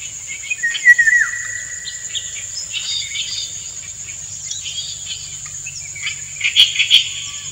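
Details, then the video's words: Courting male Indian golden oriole, female dancing nearby; a clear whistled phrase sliding downward near the start, later a few sharper bright notes, all above a constant high-pitched insect hum. "Indian Golden Oriole - An Uncut Courtship Session"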